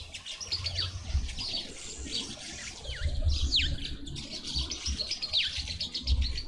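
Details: Green wood hoopoes in a suburban garden in Pretoria, South Africa, give a busy run of high chattering notes and quick downslurred squeaks, several overlapping, over a steady low rumble of wind.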